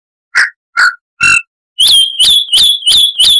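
A Chalk-browed Mockingbird gives harsh, rasping notes: three lower scratchy calls, then five higher, squealing ones in quick succession, about two each second.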